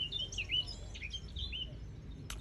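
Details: Eurasian blackcap heard but unseen at Elmley, late morning under cloud: a fast, varied warble of clear whistled and scratchy notes, rising and falling, over a low rumble of wind.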